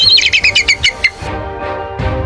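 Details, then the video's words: Bald eagle calling with a loud, rather shrill, clearly heard voice: a quick series of about seven high, thin descending piping notes, followed by a sustained background music tone. "Suaranya agak cempreng dan terdengar jelas."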